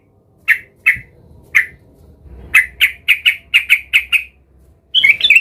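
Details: Sooty-headed bulbul, agitated and seeking a rival, gives three spaced harsh notes, then a fast run of about nine, ending in a jumbled burst.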